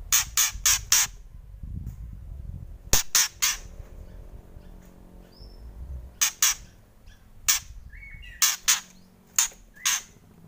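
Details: Loud kretekan from a White-rumped shama: rapid runs of four dry, harsh rasps, then scattered single and paired rasps over about ten seconds, with a brief whistled note and faint low background hum.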